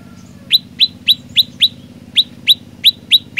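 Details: Olive-backed tailorbird giving loud, upswept chirps in two bursts, five quick notes, a short gap, then five more, each note sharp and bright over faint low background hum.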